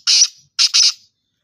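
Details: Black francolin calling in Sindh, Pakistan: a harsh, grating note, then a quick rasping pair, all loud and scratchy against a silent background.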